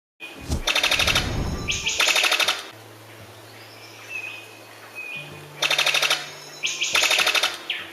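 A Brown Sicklebill gives four harsh, rapid-fire rattles, each about a second long, like bursts of machine-gun fire. Thin whistles and a low hum are heard between them.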